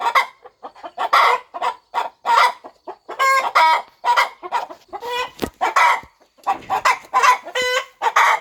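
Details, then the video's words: Mother hen settled on eggs on a farm, about to hatch them; dense clucking with several drawn-out nasal, harmonic notes and a couple of sharp clicks or knocks. "Hen Clucking Sound Effect! Mother Hen Gets Ready to Hatch Her Eggs"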